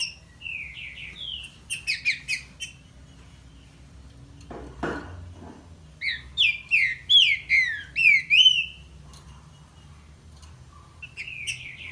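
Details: Green-winged saltator (trinca-ferro) singing loud, clear whistled phrases of falling, slurred notes in bursts, with pauses between phrases and a faint low hum beneath.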